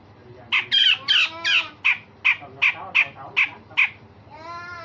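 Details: Grey-cheeked bulbul song used as a tutor for training other songbirds, with coarse rasping phrases and sharp notes: a rapid series of harsh, buzzy bursts about three per second, then a short rising whistled note at the end.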